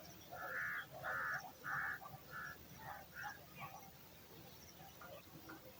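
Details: Hungry eagle chick in the nest waiting for dinner: four loud, harsh, buzzy calls about half a second apart, then a run of softer, shorter rasping notes that fade away, with low background rumble.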